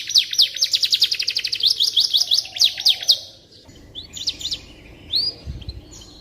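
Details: Canary singing as master audio for white-rumped shamas: three seconds of fast, sharp repeated chips in a lively trill, then softer scattered whistles and chirps as the song fades, with a faint low thump.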